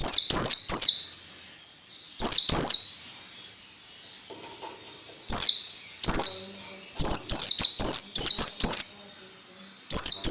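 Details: Training song for orange-headed thrush, meant to get young birds singing quickly and often: loud clusters of sharp, very high chirps that sweep downward, in bursts of two to six notes with short gaps, some echo between bursts.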